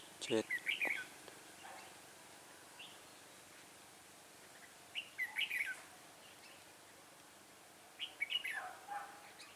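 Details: Red-whiskered bulbul singing as a decoy bird during trapping, recorded 6 December 2016; three short bursts of bright, warbled, chattering notes a few seconds apart, separated by quiet stretches.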